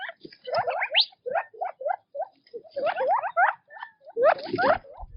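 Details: Feeding quail in natural habitat chatter busily, with overlapping short chirps and upslurred notes, dense and irregular, ending in a louder burst of several calls together.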